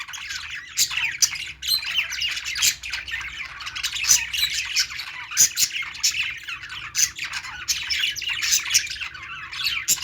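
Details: A group of budgerigars at play, keeping up a constant chatter of chirps, clicks and scratchy squawks without pause, a low hum in the background.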